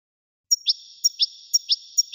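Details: After half a second of quiet, a European goldfinch gives paired notes, a high clear chip followed by a lower buzzy slur, repeated four times about every half second.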